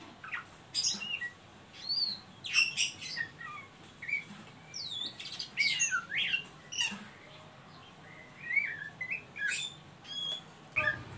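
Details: Ngeriwik call of an Oriental magpie-robin, meant to draw young birds into singing: bursts of sharp squeaky chirps and sweeping whistled notes in clusters, with short quiet gaps between bursts.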